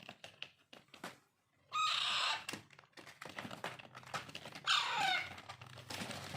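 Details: Hand-fed Alexandrine parakeet chicks: two long, harsh, raspy squawking bursts with quieter clicks and knocks between them.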